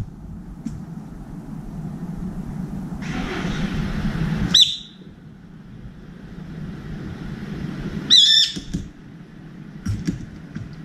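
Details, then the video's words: Brown-eared bulbul calling repeatedly from a bar outside a window feeder to find a companion, then feeding alone: two loud, shrill, sharply inflected squeals over steady low traffic rumble, with a few faint chirps near the end. "직박구리 친구찾는 삐이이익 울음소리"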